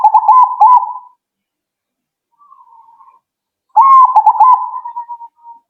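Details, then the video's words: Zebra dove song for drawing an instant answer from other doves. Two loud rolling coo phrases, pulsed and level with a rising onset, are separated by a soft distant-sounding cooing trill. "Burung Perkutut Kalian Langsung Nyaut..!!!"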